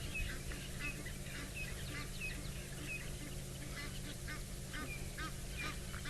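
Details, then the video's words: Egyptian geese on the banks of Chitwa Dam give a steady stream of harsh, nasal honks, several birds calling over one another, above a low, constant engine hum. "Egyptian geese are still calling"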